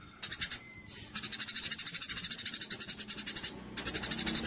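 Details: Javan munia song used as a training recording for songbird contests: rapid high, thin pulsed notes in bursts, a long evenly repeated run of chips at about three per second after a short gap, then another burst.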